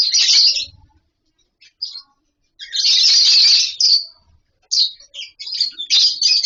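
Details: Colony of caged lovebirds nesting in wooden boxes: a loud burst of shrill chatter, a near-silent pause with faint squeaks, then a long sustained chorus and choppy high chirps.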